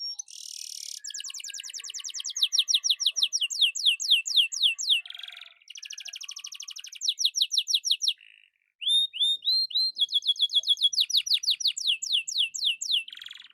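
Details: Energetic caged canary singing as a training model for other birds: long runs of rapid repeated downslurred notes forming rolling trills, broken by buzzy rattles and a short pause, then more clear rising and falling trill phrases.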